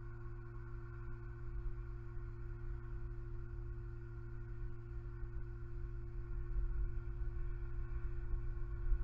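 Only a steady electrical hum with layered tones and faint low rumble is heard, with no animal sound.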